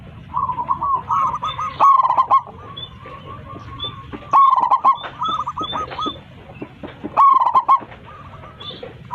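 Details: Zebra dove of local stock singing loudly on a perch to call its flock. Three strong phrases of fast, bubbling, stuttered cooing arrive about every three seconds, with other doves cooing softly behind.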